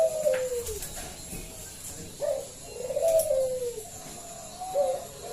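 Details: Local zebra dove used as a singing lure; fainter sliding coos that fall in pitch, repeated several times over a quiet background.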